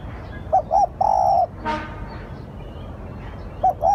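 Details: Spotted dove cooing as a lure, a phrase of two short coos and a long level coo, a brief broadband rustle after it, then the next phrase starting.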